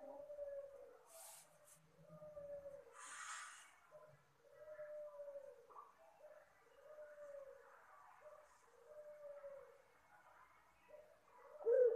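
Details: Puter Pelung dove with its soft luring call: a steady series of low arched coos, each rising then falling, repeated roughly every second and a half at an even, quiet level.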